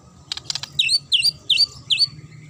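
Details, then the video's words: Magpie-robin singing sharply to provoke rivals: a few quick clicks, then four high chirped notes with a downward flick, evenly repeated about every half second. "DIJAMIN Langsung NYAUT dan NGAMUK Pake Suara TAJAM Murai ini"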